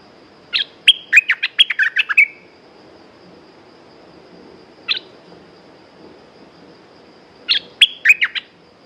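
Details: Caged red-whiskered bulbul delivering a rapid warbling phrase of chirped notes, a lone single note near the middle, then another quick chirpy phrase, with long quiet gaps between.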